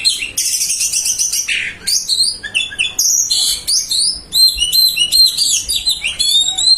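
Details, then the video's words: Continuous fill-in song from a white-breasted magpie-robin, with bright rising and falling whistles, buzzy chattering bursts and quick repeated notes packed closely together over about seven seconds. "Burung kacer dada putih full isian"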